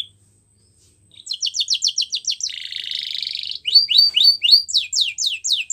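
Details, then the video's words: Canary singing to train young canaries: after a second of near silence, quick repeated rising notes lead into a buzzy rolling trill, then a series of clear downslurred whistles. "Bird Sounds | Bird Song | Canary Singing"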